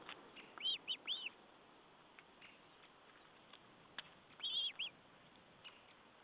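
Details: Osprey at the nest during a meal, 14 July 2012: high, thin, arched whistled notes in two short clusters of three to four, faint and distant, over steady hiss.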